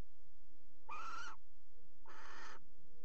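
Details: Two rasping, noisy shrieks about half a second each from barn owls pairing on a nest box edge inside the Axel water tower, recorded 5 February 2018, with a faint tonal overtone in the first.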